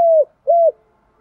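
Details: Morning coos of a spotted dove decoy used to lure wild doves: two smooth, level hollow notes, the first slightly falling at its end.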